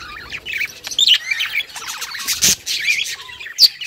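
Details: Happy budgerigars singing a busy, chattering warble of twittering, rising and falling high notes and quick chirps, with a few louder sharp clicks.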